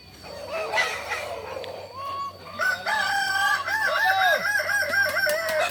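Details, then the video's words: Crowing from a Kukuak balenggek chicken contest final in Ampang Kualo, Kota Solok, on 8 September 2024; quieter opening notes, then a loud run of rapid, undulating syllables strung into a long crow. "Final latberan ayam kukuak balenggek"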